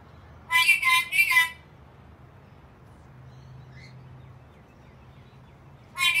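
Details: Angry black-capped lory giving two short, harsh, raspy screech bursts in quick succession, then a quiet pause with faint low hum before a third grating burst at the end.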